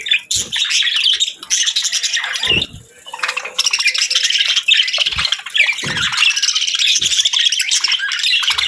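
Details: Budgerigar warbling, a continuous raspy twitter of rapid chirps and squeaks, with a short dip near three seconds and occasional soft low knocks.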